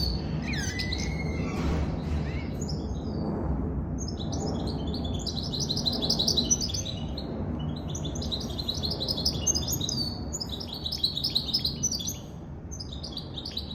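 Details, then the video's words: Goldfinch mule, a goldfinch and canary hybrid, singing a fast twittering song of high chirps, trills and buzzy notes, with brief pauses, over steady low background rumble. "Goldfinch mule sirwitty bird"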